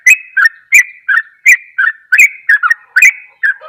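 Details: Fast sooty-headed bulbul song of the kind that provokes other bulbuls: alternating high and slightly lower chirps in quick pairs, about three notes a second, clear and loud over silence.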